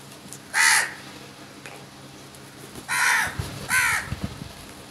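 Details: Many crows aggressively going after food; one loud harsh caw followed by a pause, then two more raspy caws close together, with soft knocking sounds beneath.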